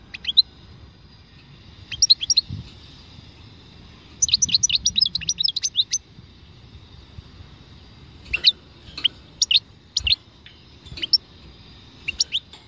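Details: European goldfinch singing in the khalwi style: bursts of high, thin twittering and tinkling notes delivered in quick clusters, separated by short pauses, over a faint low rumble.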